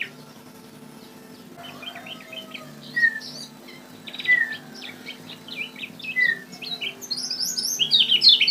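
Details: Lemon-bellied White-eye, known in Lombok as kecial kuning, used as a lure bird: scattered short chirps and thin descending whistles at first, building into a quick, high twittering run at the end, with faint low hum behind.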